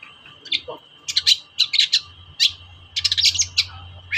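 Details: Long-tailed shrike (cendet) lure used on shrikes that are reluctant to sing: clusters of harsh, scratchy chattering notes in short bursts, with a low rumble and a steady high hum in the background.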